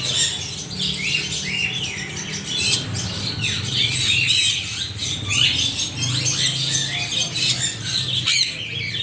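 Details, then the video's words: Many parrots screeching at once, rasping, scratchy squawks and chirps crowding together continuously over a low background rumble. "Extreme noise of parrots"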